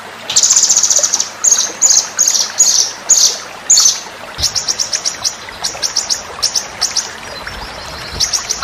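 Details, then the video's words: White-rumped shama song used as a training master for contest birds: bright high chattering phrases in short bursts about every half second, becoming quicker, thinner notes in the second half. "masteran murai batu"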